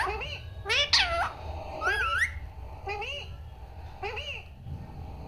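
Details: Pet parrot talking, saying "Papa" and "Mummy"; high, nasal, speech-like syllables in short bursts, some with rising and falling whistled inflections, repeated about once a second over a faint low room hum.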